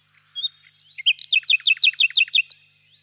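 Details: Common nightingale song opening with a few soft notes and one flat whistle. It builds into a loud, evenly repeated series of about ten sharp, chopped high notes.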